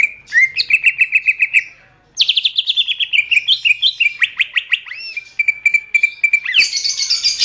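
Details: Greater green leafbird song for training other songbirds: fast trilled whistle series, a pause, then a long cascade of sweeping notes and repeated steady whistles, ending in a buzzy high rasp.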